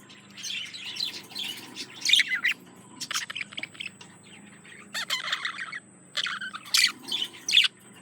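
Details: Male budgerigar courting a female: bursts of harsh, squawky chatter and bright squeaks lasting about a second each, separated by quiet gaps, with a thin steady high tone in the background.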